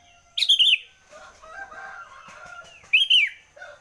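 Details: Sooty-headed bulbul in the early morning, two loud phrases of quick, bright, warbled notes about two and a half seconds apart, with softer chattering between them.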